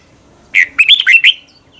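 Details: Red-whiskered bulbul singing in the morning, a training recording with a double-voiced, long twisting style sung intensely: one quick bubbly phrase of about five whistled, warbling notes sliding up and down, then quiet.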